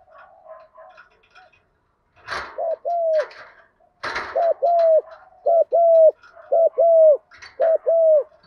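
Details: Spotted dove used as a decoy bird, cooing to call in the flock in the single-ending "gọi một hậu" style. Low, mellow coo phrases repeat about once a second after a few soft opening notes. Some brief rustling bursts are also heard.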